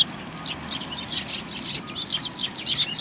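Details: Flock of sparrows coming to be fed at a Tenmangu shrine on 25 November 2020; bursts of high, scratchy chirps overlap throughout, several birds calling at once over a low background rumble.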